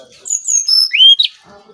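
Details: Brown-chested jungle flycatcher from Bali, a lure recording for training other birds: a short burst of clear whistled notes, high sliding phrases dropping then a bright rising whistle ending in a sharp high note.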